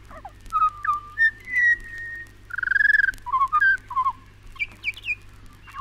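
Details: Pied butcherbird song recorded in Australia: a varied phrase of rich whistles, including gliding rising and falling notes and a warbled, trilled middle section, ending in quick high chirps. A faint low hum lies beneath.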